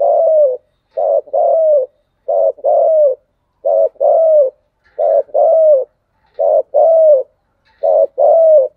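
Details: Steady Spotted dove cooing, a short coo followed by a longer coo that dips at the end, repeated six times at even intervals of about 1.3 seconds, clear and close.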